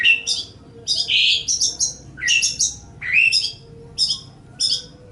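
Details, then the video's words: Long-tailed shrike training song with high chirps, a brief buzzy trill and rising slurred notes, delivered in short bursts separated by brief pauses. "Ocehan Suara Burung Cendet/ Pentet"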